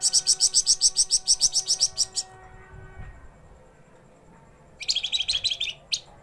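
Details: Caged Javan fulvetta (wergan jawa) from Java, kept singing day and night, gives fast, repeated high chirping notes in two bursts, about three per second, with a quiet pause between.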